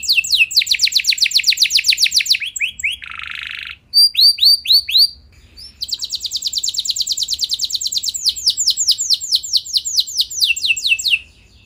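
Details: Long canary roll meant to provoke rival canaries into singing: fast repeated high downward sweeps, a brief buzzy rattle and a few separate notes, then another extended rapid rolling trill of descending strokes.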